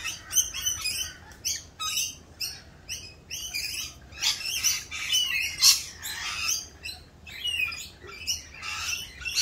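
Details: Mating-season rainbow lorikeets, noisier than usual and performing a mating dance; rapid series of sharp, shrill squawks and chattering notes, several birds overlapping.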